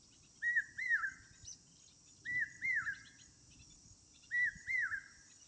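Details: Clear Asian koel calls: three bouts of paired, arching whistled notes, evenly spaced, over faint background insect buzz and soft low noise.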